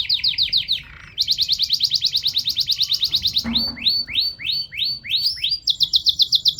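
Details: A singing canary runs through rapid rolling trills, a series of sweeping down-slurred whistles, and a final fast high rattle, with a faint low hum underneath.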